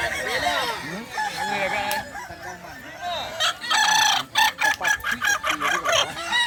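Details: A crowing contest among kukuak balenggek roosters at a dairy farm in Solok Regency: many overlapping crows, then a run of loud rhythmic bursts roughly twice a second near the end.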